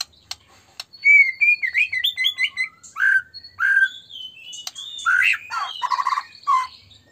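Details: White-rumped shama song meant to lure other shamas into singing: a few sharp clicks, then a long stream of varied whistles, slurred notes and harsh chatters with short gaps, ending on a rapid burry phrase.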